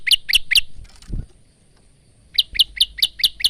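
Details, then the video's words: Male bar-winged prinia kept as a cage bird, singing a varied song used as training material for other birds, recorded on a phone: short sharp high notes in quick runs of three, a gap, then six more rapid notes. "masteran handal burung prenjak lumut"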